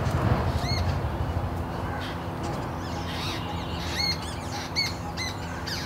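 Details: Two Jungle Babbler hatchlings, fallen early from their nest in a dry bamboo thicket, beg for a parent's attention with wide-open beaks and shaking necks; short bright chirps with bent upper bands come in scattered bursts over low rumbling background noise.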